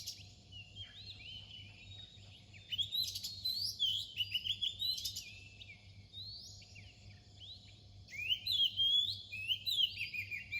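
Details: Near dawn, an Oriental magpie-robin delivers two bursts of lively whistled song, each packed with quick rising and falling notes, separated by a quieter stretch. A faint low hum continues throughout.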